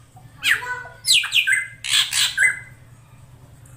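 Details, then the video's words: Female drongo lure calls for a male: rapid harsh, buzzy squawks with downslurred whistled edges in several bursts, over a low steady hum. "SUARA BURUNG SRIGUNTING BETINA UNTUK MEMANCING SI JANTAN AGAR CEPAT GACOR"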